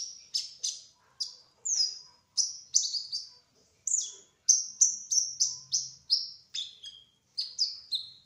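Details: Kolibri ninja sunbird, trotol variety, singing busily: a steady run of about twenty thin, very high, sharply falling chirps, some doubled, delivered in quick clusters with brief gaps.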